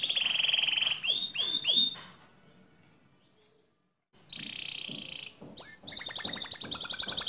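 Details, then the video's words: Canary song meant to goad another canary into singing: a sustained whistled tone, three swooping descending notes, a silent gap, a buzzy steady phrase, then a rapid high rattling trill. "Pancing Emosi Kenari Anda Agar Cepat Ngerol Nembak Seperti Kicau Kenari Ini"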